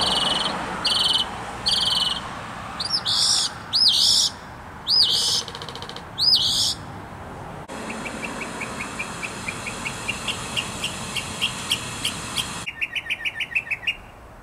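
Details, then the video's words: Mockingbird in song heard from a cabin: a medley of phrase types, first loud buzzy notes repeated a few times, then sweeping slurred notes, then fast thin ticking series rising in pitch, each phrase type repeated before changing. "Mockingbird on vocals"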